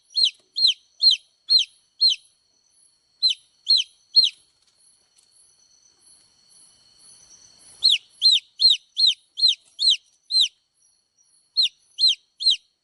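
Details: Baby chicks peeping in long bursts. Shrill downward-sliding chirps come roughly every half second, then a lull with only faint soft sounds, then another rapid series of peeps.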